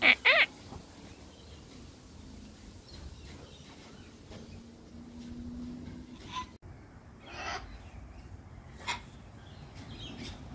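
Sulphur-crested cockatoo: two loud, harsh, raspy screeches open, followed by a few fainter, more distant screeches over a low steady background rumble.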